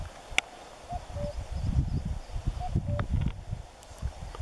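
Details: A distant common cuckoo at Forgoselo on 20 April 2015 gives two falling 'cu-coo' calls about a second and a half apart, over steady low wind and rustling.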